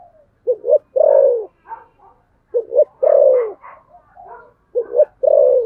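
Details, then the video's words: Cooing-contest spotted dove, thổ sấm style: three rhythmic phrases, each a quick double note and a long sliding coo, with quieter overlapping coos and burbles from other doves. "thổ sấm gù/ Cu gù đấu"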